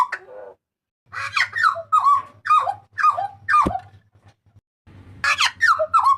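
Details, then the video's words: Papuan butcherbird crying loudly and harshly, used as a master recording for cage birds: rough, squealing notes that fall in pitch, repeated about twice a second, over a faint low electrical hum. "TERIAKAN MAUT BURUNG JAGAL PAPUA"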